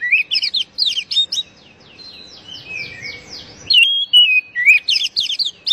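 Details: Oriental magpie-robin singing, used to stimulate caged birds into song. Fast bursts of sharp, chirpy whistled notes give way to a softer, scratchy stretch with low rustling background, then loud varied whistles resume.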